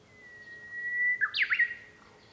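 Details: Japanese bush warbler singing on 5 May 2013, heard from a room at home: a long, steady whistled note held for over a second, then a quick, loud, broken flourish of rising and falling notes.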